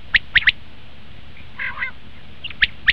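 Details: Common quail call used in hunting: a fast sharp three-note burst, a short gap with faint buzzy notes, then two more clipped high notes.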